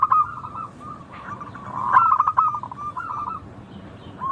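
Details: Zebra dove, local type, cooing: a steady run of soft warbled notes, swelling into a brighter trilled burst at mid-clip, then fading back to quieter coos.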